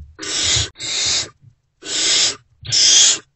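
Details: Hungry great horned owl owlets in an owl box at dawn on 3 March 2024, answering a returning adult with four harsh hissing screeches in quick succession, the first two nearly joined together.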